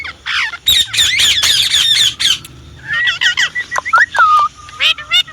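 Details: Indian ringneck parrot kept as a pet, starting with a dense volley of shrill squawks, then softer looping, wavering notes like chattered syllables, ending in a quick raspy call.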